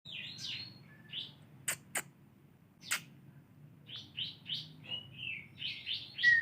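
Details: White-rumped shama learning canary song: short chirpy and warbled phrases in quick series, several sharp clicks in the first half, then repeated bright twittering notes building toward the end over a low background hum.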